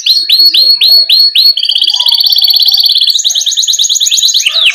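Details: Rolling ngerol song of a canary, meant as a model for young canaries: half a dozen sharp rising whistles, then a long, fast, rattling trill that climbs into a higher chattering roll, ending on a swooping note.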